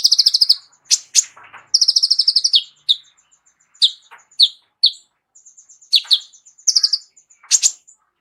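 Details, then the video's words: Singing sunbird, locally kolibri ninja, with a lavish fill repertoire offered as a vocal tutor for other birds; quick stuttering rattles of bright notes alternate with single sharp chips and short thin whistles. "KOLIBRI NINJA MEWAH ISIAN LENGKAP COCOK JADI GURU VOKAL UNTUK BURUNG JAGOAN KALIAN"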